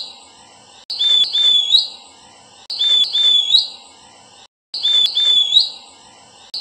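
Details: Verditer flycatcher giving bright, high whistled phrases with a rising, slurred ending, repeated in bursts about every two seconds, with brief gaps of silence between.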